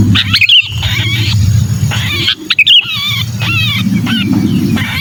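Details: Sooty-headed bulbul in distress, a lure sound for wary bulbuls: a few harsh, downward-bending buzzy calls with stacked harmonics, broken by sharp clicks, over a low rumbling hum.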